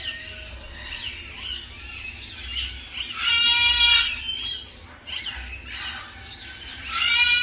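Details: A pair of cockatoos giving harsh, raspy squawks with strong harmonics, in two louder bursts, one midway and one at the end, between softer scratchy calls, over a steady low hum.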